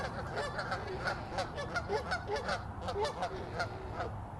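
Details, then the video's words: Canada geese in a fighting group, loud nasal honks tumbling over one another in quick irregular series, several birds calling together against low background noise. "Goose group fighting with loud honking"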